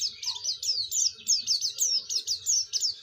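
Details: Oriental white-eye, singing as a lure for others of its kind: a regular series of thin, high downslurred notes, roughly four per second, fairly soft, over a low background rumble.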